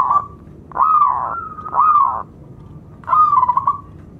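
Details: Local zebra dove song used as a lure to make other doves excited and get quiet birds singing; three separate warbling coos with pauses between them, each swelling and then fading.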